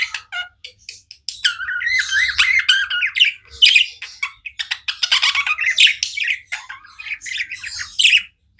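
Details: Pet budgerigars chirping: a wavering warbled phrase rising and falling, then fast strings of harsh clicky chirps and squawky notes, ending in a short silence.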